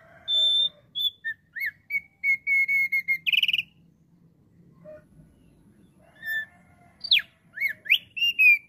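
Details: Thick-billed heleia in lively song, meant to lure wild flocks: high whistled notes and short rising slurs in quick succession, a pause with only faint low rumble, then sharp upward-sweeping whistles and rapid bright chips resume.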